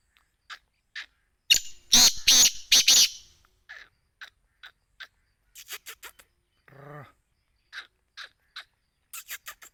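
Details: Black francolin (Sindhi teetar) giving a harsh grating call of four rapid loud bursts, surrounded by scattered soft ticking notes and a brief low buzzy sound.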